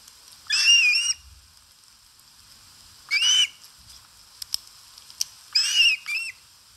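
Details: Osprey (Pandion haliaetus) feeding at its nest, Satakunta, Finland, 4 August 2022, filmed by a live camera. Three bursts of shrill, whistled calls with wavering, rising notes, spaced about two to three seconds apart, with soft ticks in between.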